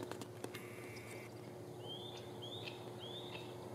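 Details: White-tailed Kite feeding on a field mouse in a tree as a second kite threatens to challenge for the meal: three thin, rising whistled notes about half a second apart after a steady high tone, over distant traffic rumble.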